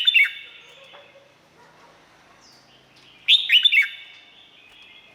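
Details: Thai Red-whiskered bulbul song: a quick cluster of clear, downslurred whistles opens the recording. After a quiet pause a matching bubbly phrase follows, and its echo rings on afterwards.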